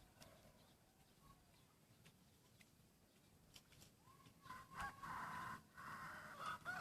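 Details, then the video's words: Half red junglefowl F2 hybrid cockerel, black-and-red feathered and still moulting, with a slightly changing voice. Quiet background gives way to a crow in the last two seconds, a rising note then a long steady band that drops at the end. "Red Jungle Fowl50% Beautiful"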